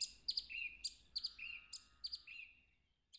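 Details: A song thrush in woodland, 3 April 2020, repeats a phrase copied from the Woody Woodpecker laugh tune: sharp high notes run into thin downward-sliding whistles about once a second; at least two thrushes there sing it.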